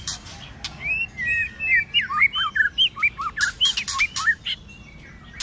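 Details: In the cold season, a White-rumped shama sings a fighting song with many voices. A rapid run of hooked and looped whistles, about a dozen in three seconds, follows a few dry clicks.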